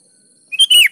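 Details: Sooty-headed bulbul in lively gacor song, used to coax reluctant birds: one short bubbly phrase, a quick chirp then a bright whistle falling away at the end.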